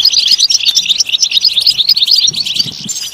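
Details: {'caption': 'European goldfinch pouring out a rushed, jangling twitter of high, tinkling notes, strung together without breaks as song for stimulating other goldfinches.'}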